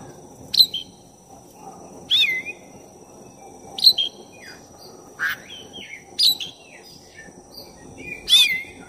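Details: Black-breasted oriental magpie-robin singing in full voice, used as a lure to stir up another magpie-robin: separate loud phrases about every 1.5 seconds, each a harsh burst then slurred whistles, over a steady hum and faint background noise.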